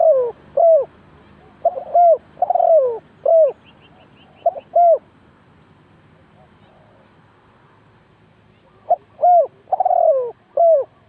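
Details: Spotted dove calling as a decoy at a bird trap. Repeated groups of mellow coos, each with a descending long note, come with a silent gap of several seconds between them. Brief faint chirps from a small bird are audible.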